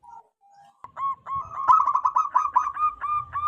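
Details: Local wild zebra dove with a big, clear voice, used as a lure call: soft opening notes, then a steadily building series of rapid rhythmic coos with clear harmonics and a light low rumble.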